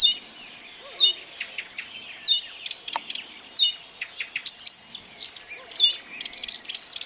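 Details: Blyth's reed warbler (Acrocephalus dumetorum) singing, recorded 12 June 2011 at Kępiny Małe, Pomerania, Poland: an unhurried, varied song of high, sharply slurred whistles recurring every second or so among dry ticks and scratchy chatter.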